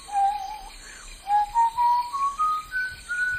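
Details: Lineated Woodpecker (Dryocopus lineatus) in Manaus, Amazon: one drawn-out clear note, then a quick run of about eight short ringing notes stepping steadily higher, roughly four a second.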